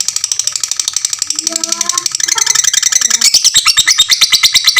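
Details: Fighter lovebird singing a long ngekek for tutoring other lovebirds: a thin, fast chatter that grows louder and more pulsed, with brief, softer, lower twitters in between.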